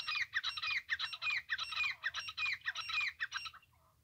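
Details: Francolin voice tied to trapping: a continuous loud burst of harsh, squawking, ratcheting notes in quick rhythm for about three and a half seconds, ending abruptly.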